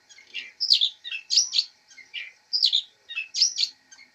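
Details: Master-bird long-tailed shrike, labelled fighter, delivering scratchy, warbled chirp phrases in irregular bursts, some low and some high, with short gaps between.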